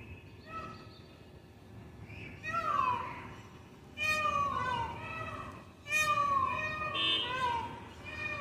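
A peacock gives four loud, nasal wailing calls that start abruptly and slide downward, roughly every one to two seconds, with faint voices in the background.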